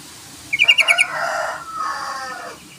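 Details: Yellow-vented bulbul calling to provoke a rival; one quick run of about five bubbly notes followed by a long broadband rustling or flapping noise.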